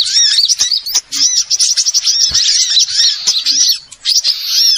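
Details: Small birds on a trapping lure track give sharp, rapid chirps and thin squeaky notes, many voices overlapping in a continuous excited twitter with a few short breaks.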